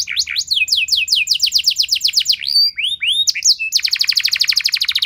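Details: Canary singing the long, loud 'nembak' style used to draw other canaries into song: descending whistled sweeps, a few drawn-out slurred notes, then a fast dense trill to the end.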